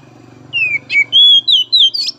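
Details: Oriental magpie-robin song used to stimulate untrained young and spotted 'trotol' magpie-robins: a short phrase of clear whistled notes, a falling slur, a brief buzzy note, then rising and level whistles, over a low steady hum.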